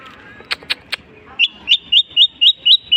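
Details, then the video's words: Long-tailed shrike, known for imitating any bird species: a few clicking sounds, then a steady series of clear upslurred whistled notes repeated about every quarter second. "burung cendet bisa menirukan jenis burung apapun"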